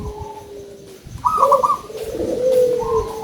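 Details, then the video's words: Big-voiced local zebra dove singing busily: a steady low note, then a bright higher trill and a warbling low coo that runs on. "PERKUTUT LOKAL SUARA BESAR"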